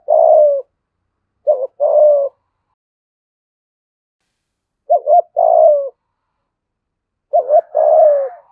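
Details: Spotted dove kept as a decoy, in the 'giọng thổ' style with thúc, gù and gáy calls. Four phrases of soft low cooing, each a short clipped note then a drawn-out descending coo, separated by silent pauses.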